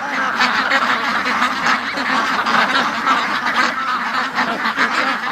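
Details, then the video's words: Many domestic ducks kept in a pen, quacking without a break while waiting to be let out in the late morning; loud, raspy quacks overlap into a continuous clamour, with brief bursts standing out. "See, they all were at the other end of the pen because it's been like an hour and 40 minutes of non-stop quacking."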